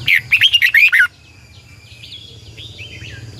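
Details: Caged red-whiskered bulbul decoy singing in the morning to train other bulbuls, a double-voiced twisting song: a quick burst of about six loud warbled notes, then quieter distant whistles from other birds and low hum.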